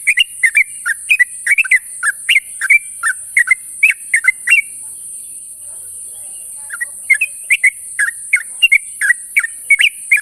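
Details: Sooty-headed bulbul in the morning, calling its companions with a busy series of sharp, chirpy whistled notes. A short pause follows before the chirping resumes just as quickly, with a continuous thin hiss in the background.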